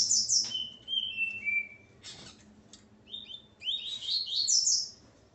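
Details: Male Double-collared Seedeater singing with its female present: bright slurred whistles and descending notes high in pitch, a short pause, then a faster twittering phrase of rising and falling whistled notes.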